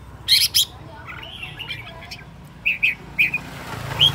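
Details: Aggressive decoy red-whiskered bulbul, spinning about, sings short, bright whistled notes, a brief warbled run, then a few clipped chirps and a rising end note; two sharp clicks at the start.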